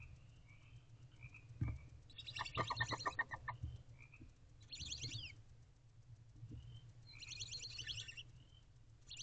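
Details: Barn owl owlets in a nest box at 10:59 pm on 14 April 2023, begging while the mother feeds them; rapid clicking chitters and scratchy buzzing bursts come in irregular clusters, with short soft whistled notes in between.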